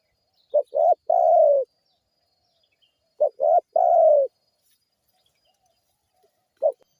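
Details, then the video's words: Lure recording of a spotted dove meant to make other birds respond. Twice it gives a three-part cooing phrase of two short hollow notes and a drawn-out, gently falling coo, about three seconds apart, then begins again. The background is silent. "PANCINGAN TEKUKUR GACOR SEMUA BURUNG RESPON BUNYI"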